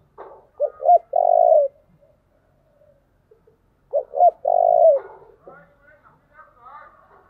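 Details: Spotted dove cooing as a lure for wild doves. Two phrases about three seconds apart, each with short throaty notes leading into a drawn-out, vibrating coo. Faint, higher chirps from other birds follow near the end.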